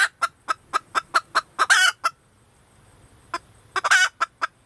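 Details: Female red junglefowl: crisp clucks at about four per second, each of two runs climaxing in a loud grating squawk, separated by a short silence.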